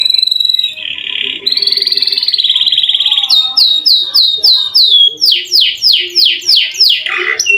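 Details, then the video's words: Canary, a long rolling song used to lure lazy canaries into singing: a buzzy trill, then a steady rolled tone, then a run of bright downslurred whistles repeated about three times a second. "KENARI GACOR NGEROL PANJANG COCOK UNTUK PANCINGAN BUNYI BURUNG KENARI YANG MALAS BUNYI!!!"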